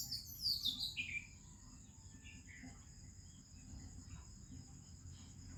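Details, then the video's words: Oriental magpie-robin singing in the morning with other birds, India: a quick burst of bright, descending whistled notes, then a few softer chirps, over a steady high insect drone and low rumble; song serves territory defense and mate attraction. "a ROBIN Chirping in the Morning"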